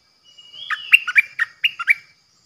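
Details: Bulbul decoy bird song recorded 8 May 2021: a quick burst of about seven short, bright, bubbling whistled notes rising and falling, over a thin, steady high-pitched whine in the background.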